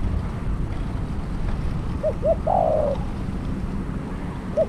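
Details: Spotted dove serving as a trapping decoy utters a single, slightly faint phrase of two rising notes and a coarse falling coo over steady low background noise.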